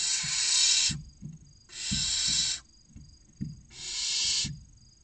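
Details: In a nest box in Cabañeros National Park, Spain, six barn owl nestlings aged 16 to 29 days beg while waiting for a delivery: three long sibilant screeches with brief gaps and low bumping movement sounds.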